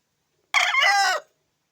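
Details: Short burst of a rooster's crow, after the bird recovered from illness, a single harsh, rich note lasting under a second in otherwise silent surroundings.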